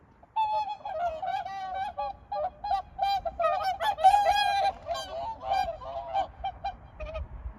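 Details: Swans giving a long series of loud nasal trumpeting honks, several birds overlapping, notes rich and harsh, continuing for about seven seconds over low rumbling background noise.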